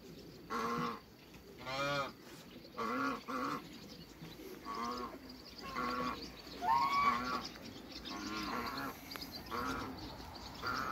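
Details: Backyard African geese, a pair living alongside other waterbirds, give separate drawn-out nasal honks, roughly one every second or two, with quieter stretches of background noise between.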